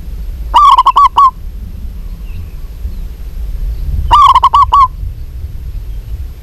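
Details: Female local zebra dove calling to a male, giving two brief phrases of five or six rapid, throaty coos about three and a half seconds apart over a faint low hum.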